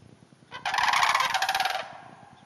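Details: A single loud, rolling, trilled rattle of about a second from sandhill cranes in a hayfield roughly half an hour north of the Twin Cities, fading gradually at the end.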